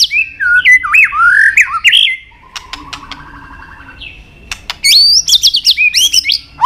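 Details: White-rumped shama singing a varied song: looping whistled notes and squawky sweeps, a soft buzzy rattling trill in the middle, then a fresh burst of sharp rising whistles.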